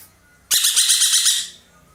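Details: A single loud, rasping burst from an ekek keling (dollarbird), a loud-voiced bird used to tutor songbirds. The burst is built of rapid pulses, about ten across one second, and fades quickly.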